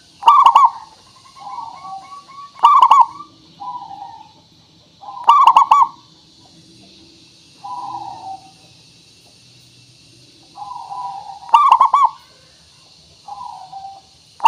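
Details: Local zebra dove song meant to call out answering birds: loud quavering coo bursts every few seconds, interleaved with gentler, falling coo notes and brief quiet gaps.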